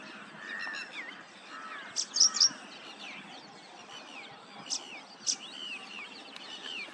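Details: Paddyfield pipit singing, recorded with a Nikon P1000 camera: a tight cluster of sharp, high chirps near two seconds and single bright notes around five, set against steady soft twittering and short rising whistles from other birds.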